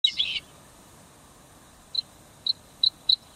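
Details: Bluethroat at the Saladar de Los Canos salt marsh in January 2010: a brief scratchy chatter, then five short, high, clipped notes spaced about half a second apart, quickening toward the end; background otherwise quiet.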